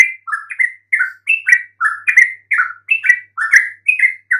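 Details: Lure song of a yellow-vented bulbul for coaxing mute birds to reply: evenly spaced pairs of warbled chirps, one rising and one falling, repeated about twice a second.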